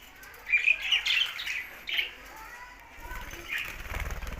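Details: Budgerigars in happy song, a soft warbled chatter of squeaky notes, followed by wing fluttering and rustling.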